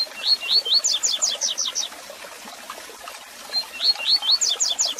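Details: Tui tui zel zel song of a double-collared seedeater, played as a tutor for young birds. Rising whistles introduce a brisk series of high falling notes, and the phrase repeats after a quiet pause.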